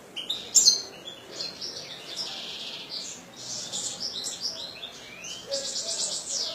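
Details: European goldfinch kept as a cage bird by a breeder, delivering a fast, high twittering song of bright chirps and short buzzy trills after an opening sharp note, continuing steadily throughout.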